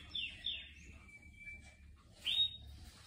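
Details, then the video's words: Short canary song fragment heard among houseplants: two slurred downward notes, a thin level whistle held for nearly a second, then one sharp upslurred note after a short pause. "زقزقة عصافير الكاناري"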